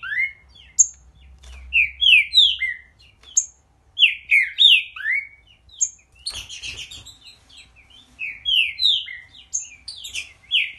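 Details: Green-winged saltator, singing with great vigour, gives a series of full, whistled, swooping notes in quick phrases with high thin accents; a brief clatter of other sound breaks in near the middle.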